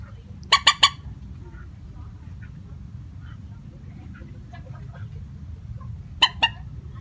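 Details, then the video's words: Common moorhen lure call, a plain call without varied notes: a quick burst of three loud, harsh clucks, then silence, then two more clucks near the end, over a low hum. "Suara panggilan burung mandar batu.tanpa pariasi nada panggilan."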